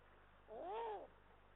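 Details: One arched, drawn-out nasal wail from a Eurasian eagle-owl at a nest in Estonia where a male and female were together, 18 March 2022, recorded by a live nest camera over faint electrical hum.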